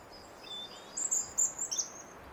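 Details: Around the feeders a robin delivers a brief, very high-pitched phrase: a soft thin whistle, then several loud, sharp sibilant notes in quick succession, tumbling and wavering, over quiet hiss.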